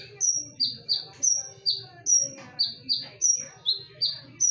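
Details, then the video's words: Konin in full song, used as a lure: crisp, very high notes, each slurring downward, repeated about two to three times a second in an alternating high-low pattern, with a faint hum underneath. "KONIN GACOR FULL TEMBAKAN / SUARA TAJAM DAN NYARING / BERANI DENGARKAN SUARA PANCINGAN KONIN INI??"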